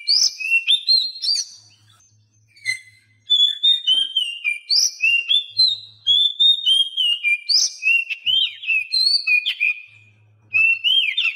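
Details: Oriental magpie-robin masteran for birds reluctant to sing: long flowing phrases of rich whistles sliding up and down, broken by brief pauses, with faint low hum between phrases.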